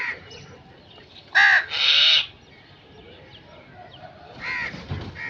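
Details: Loud, grating crow caws: a strong drawn-out pair near the start, then softer caws later, over a quiet outdoor background.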